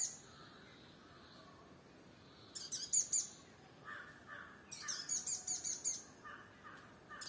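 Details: Sunbird on firebush in Kerala giving clusters of high, thin chirps, then a rapid run of about six sharp notes, with lower chattering notes between, against faint background noise.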